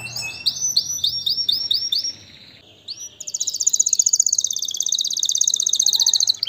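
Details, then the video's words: Canary song: a series of rapid high whistled rising notes, a brief pause, then a long fast buzzy rattling trill held at a steady high pitch. "اجمل غناء لطائر الكناري تغريد الكناري روعة"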